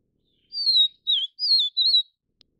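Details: One four-note whistled phrase from the Taiwan-endemic vivida subspecies of vivid niltava, long descending glide followed by a dipping note and two quavering whistles, ending with a faint tick.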